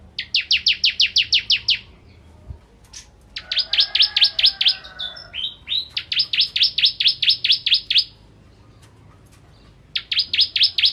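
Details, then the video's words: Bar-winged prinia singing actively, recorded as a tutor song for white-rumped shamas: bursts of rapid, high, clipped notes lasting about two seconds each, separated by short pauses with a few softer scattered chips. "Masteran Ciblek Kristal Gacor"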